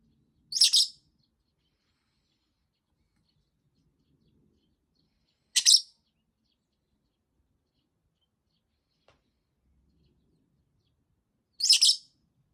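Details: Fischer's lovebird kept as a pet, voicing discontent after a week of no playtime and calling on for over two minutes: three brief, piercing shrieks spaced roughly five to six seconds apart, silence in between.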